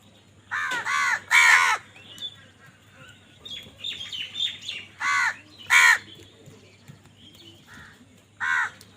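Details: Harsh crow caws in irregular bursts, two or three at a time, while crows contend for food. Smaller birds twitter constantly between the calls.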